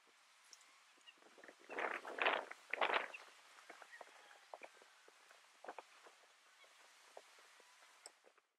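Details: Northern jacana (Jacana spinosa violacea) in Imias, Cuba, August 2017, giving a few loud, rasping, squawky notes around the second to third seconds, then scattered softer ticks and clicks fading out against light natural background noise.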